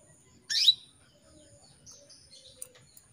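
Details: Female canary calls to a male as a lure to make males sing. One brief, bright, upward-sweeping chirp stands out, followed by faint high twittering and soft rustling.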